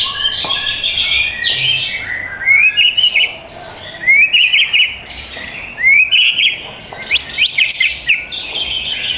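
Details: Shop-kept white-rumped shama in Tangerang Selatan, Indonesia, delivering clear rising whistles and chirpy phrases, with loud bursts roughly every one to two seconds and quieter twittering between them.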